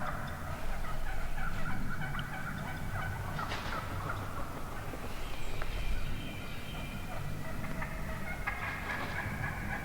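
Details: Wild turkey hen vocalizations from the middle of a large morning flock, a fast irregular run of yelps and clucks, several sharp loud notes cutting through a low steady rumble.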